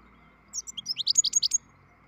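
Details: European goldfinch from a breeding stock, beginning its song with a quick run of about ten high, bright, tinkling chirps in under a second, rising then steady, against a quiet low hum.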